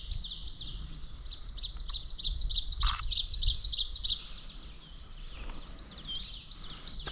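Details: Ovenbird singing on a spring-migration morning, May 19, at Stronach Park, Kingston, Kings County, Nova Scotia. A fast series of sharp, ringing chips swelling louder over about four seconds, with other birds chipping and singing around it.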